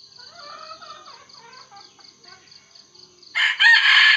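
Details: Red junglefowl rooster used as a lure for wild males: soft pulsing insect or bird chatter first, then a sudden loud, harsh crow in rough bursts at the close.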